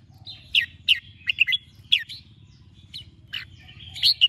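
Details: Morning singing of a red-whiskered bulbul in training: clear, bright chirps and short warbled notes, repeated about every half second, over a low background rumble.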